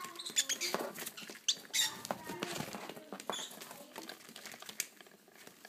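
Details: Baby lovebirds being hand-fed give rapid, high, squeaky begging chirps in uneven bursts, mixed with soft clicking and rustling feeding noises.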